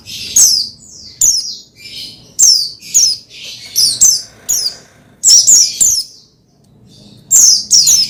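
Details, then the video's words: Oriental white-eye (pleci) singing, used to stimulate another pleci to sing: high, thin descending chirps and twittered phrases in bursts, several notes per second with short pauses, some harsher squeaky notes between. "Menaikan Emosi Burung Pleci Bahan Agar Pleci Gacor Cepat Bunyi Rajin Gacor"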